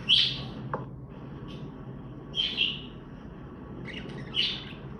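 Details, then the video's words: Budgie contact calls, chirped to find companions it cannot see: three short, high, bright chirps spaced roughly two seconds apart, with a faint click and a few softer notes between, low hum underneath. "Funny Parakeet Trick: Play Chirping Sounds to Find Your Lost Bird"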